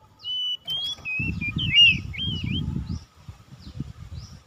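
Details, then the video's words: Kacer (Oriental magpie-robin) lure song for spurring a lazy bird to sing: a clear sustained whistle followed by a tangle of quick warbling, swooping notes, with a low rumbling background noise beneath. "PANCINGAN HARIAN KACER MALAS BUNYI TAMBAH JOOS GACOR"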